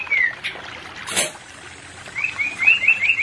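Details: White-rumped shama song for a non-breeding pair: one whistled slur, a sharp click-like noise, then a quick series of five short rising whistles repeated in rhythm.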